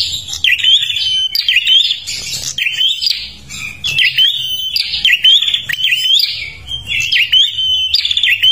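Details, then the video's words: Kalimantan prinia singing energetically to attract other birds, producing sharp twittering phrases capped by upswept whistles, repeated around once a second, with a soft low hum in the background. "perenjak kalimantan gacor untuk pancingan"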